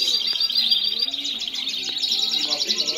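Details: Several Spanish Timbrado canaries singing together: a continuous dense wash of high rolling trills and chattering notes with no pauses, one bird's rapid pulsed roll standing out near the end.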